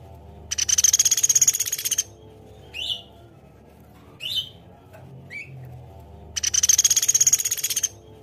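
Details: Velvet-fronted nuthatch in an active tutor recording: two loud, very high, fast rattling trills frame a few short downslurred chirps, over a faint low hum.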